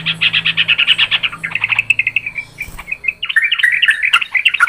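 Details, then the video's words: Yellow-vented Bulbuls giving noisy, clear calls used as a lure for trapping birds: rapid runs of bright chirps and chattering notes, a short pause, then more varied warbling chirps, over a faint low hum. "Suara trucukan ribut...suara jernih buat pikat"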